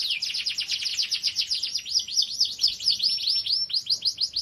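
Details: Young canary training song, also for canaries that have stopped singing: rapid, dense trill of high chirping notes repeated about twice a second, sliding and buzzing, with a faint thin high overtone line above.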